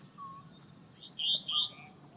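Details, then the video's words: A restless flycatcher, a very vocal species, calling across the water at Coombabah Lakelands wetland, Gold Coast, Australia: two harsh, buzzy, high notes in quick succession; softer lower whistles from another bird and faint hum. "This very vocal species is the restless fly catcher."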